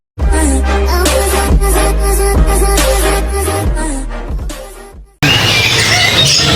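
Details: Heavy-beat music with deep bass thumps plays for about five seconds, then cuts to a burst of loud, hissy broadband noise.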